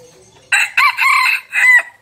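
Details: Decoy red junglefowl crowing in three quick, harsh segments, the middle one longest and the last rising slightly, clipped and loud against a quiet background.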